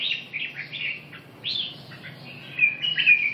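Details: Red-whiskered bulbul giving a continuous stream of liquid, slurred whistles and chirps in quick succession, with a brighter burst of notes near the end and a steady low hum underneath.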